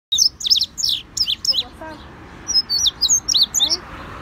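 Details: Indigo bunting, called azulejo cubano, singing a fast series of high, sharp, slurred notes, some rising and some falling, in quick paired phrases with brief gaps.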